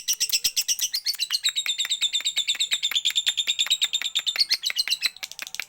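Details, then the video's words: Lovebird, a kept bird, in a so-called siren singing style: a long unbroken run of rapid, high, ringing chirps, nearly three per second, sliding slowly downward in pitch before a brief change at the end. "Love Bird SIREN Gacor"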